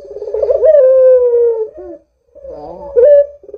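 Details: A frequently calling Barbary dove, used as a lure for other doves, gives one long rolling coo that slides gently downward, then a short pause and the start of another throaty phrase.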